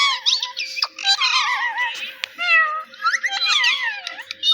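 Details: Pet parrot mimicking human words, repeating "Mitthu Mitthu": warbling, voice-like chatter with wavering tonal sweeps and squeaky notes in quick bursts, with a steady faint hum beneath.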